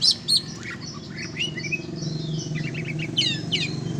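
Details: Varied quick chirps and slurred twittering notes from an oriental magpie-robin let out to fly for sport training, with a clustered burst of rapid notes toward the end over low background rumble.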